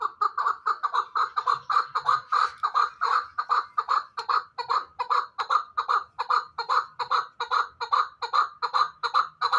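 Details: Hybrid fighting chukar partridge calling a long, loud, steady series of husky chuck notes, about two and a half a second, with no break.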